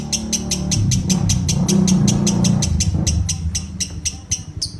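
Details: A lovebird chattering in ngekek fashion, quick high chirps about four per second in bursts, set against heavy low-pitched rumbling and hum.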